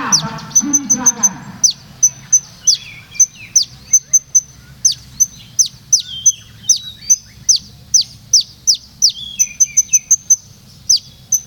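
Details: Purworejo olive-backed sunbird in melodious rolling song: a long, steady run of piercing high ticks interleaved with steep downward-sweeping whistles, a low murmur of voices briefly at the start.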